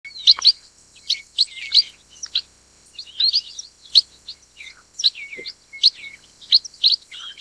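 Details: Chestnut munia, also called black-headed munia, calling: a steady run of short, thin, high chirps, some bending down into brief slurred notes, given in quick irregular bursts with no other clear sounds.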